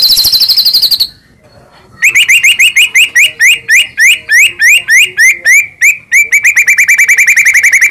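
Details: White-rumped shama, a long-tailed Medan bird, singing: a high whistled note, a pause, then a fast run of rising whistled notes repeated about three times a second, strong and even throughout.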